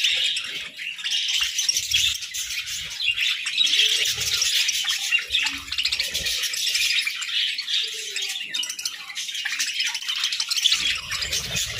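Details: Pet budgies fed grass and moringa produce an unbroken wash of high, buzzy warbling chirps, fairly even in loudness, with almost no low sound beyond a short rustle near the end.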